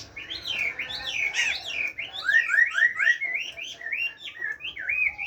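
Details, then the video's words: Continuous, fluent song from a kept hwamei in forest-voice style, made of looping whistled phrases that climb and fall. Clear rising-falling notes are repeated in quick succession for the whole stretch. "Họa Mi hót . tiếng chim họa mi hót giọng rừng nuôi"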